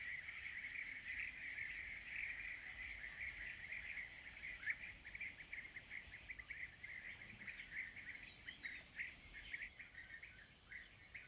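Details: European bee-eaters in a steady chorus of rapid, rolling, purring notes, many birds overlapping, thinning into separate calls toward the end.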